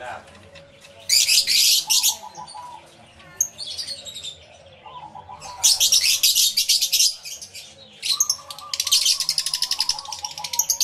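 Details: Flock of lovebirds calling in an aviary, yellow-collared lovebirds among them, recorded live with two external microphones; bursts of harsh, high shrieking chatter alternate with quieter gaps, while lower, steady whistled tones run underneath.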